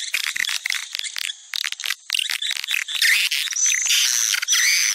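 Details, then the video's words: Swiftlet lure call popular in Sumatra, used to attract swiftlets: dense, rapid high twittering chirps, then from about three seconds a steadier, louder buzzing chatter with thin whistled tones overlaid. "Suara panggil walet"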